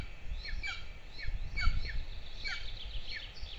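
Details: Two golden eagle chicks fed at their nest in Lahemaa, Estonia, 22 June 2024, producing clustered high squealing notes that drop in pitch, mixed with low scraping and rustling from the nest.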